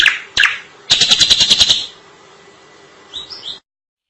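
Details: Drongo in full, lively song: two harsh high chirps, then a rapid burst of about eight clipped notes, and finally a few soft rising whistles trailing away.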